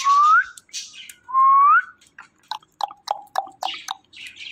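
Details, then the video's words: Talking parrot whistling: two clear rising whistles, each sweeping upward, followed by a run of short clipped chirps and notes with quiet gaps between. "Beautiful And Amazing Talking Parrot"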